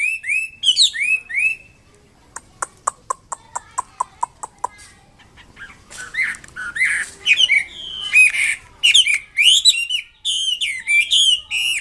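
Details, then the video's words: Chinese hwamei singing vigorously: loud slurred whistles rising and falling, then a run of about a dozen sharp evenly spaced clicks, then dense bursts of varied whistled and buzzy phrases. "BURUNG WAMBI KEMBANG MANDARIN GACOR KICAUNYA"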